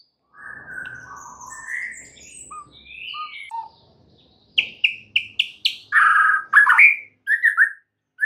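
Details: White-rumped shama in the morning, opening with soft varied whistled phrases, then a pause and a burst of loud sharp repeated chips and harsher notes.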